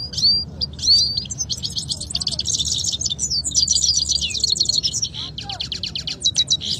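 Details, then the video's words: Canaries trade song in a Quetta singing match between two birds. A few clear whistles open into long, dense buzzing trills, followed by a brief pause and a final burst of rapid clicking notes. "nazar Saira Vs gholam Saira singing fighting who will win"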